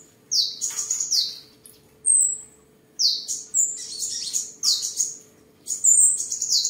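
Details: A tame seven-colour sunbird in Tân Phú, Vietnam, recorded 23 July 2022 while displaying and sparring, sings clusters of piercing downward sweeps and quick high trills separated by short pauses; soft hum underneath.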